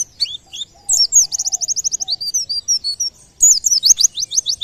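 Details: A white-eye sings, a sound believed to coax nearby birds into song: long rapid trains of high, evenly spaced chirps, broken by a brief pause and then a fresh, dense burst of downslurred notes.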